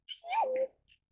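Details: Pheasant-tailed jacana (Hydrophasianus chirurgus), at nest feeding chicks, gives one nasal, mewing call that rises briefly then slides down, with a thin high chirp just before and after.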